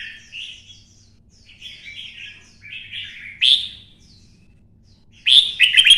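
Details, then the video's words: Red-whiskered bulbul, 'xoắn' twisting voice, stimulated to sing for fighting: soft murmured warbles build to a sharp bright note, then a loud fast rolling run of chirps at the end. "CHÀO MÀO | Giọng xoắn - Kích chim xổ bọng căng lửa hót đấu"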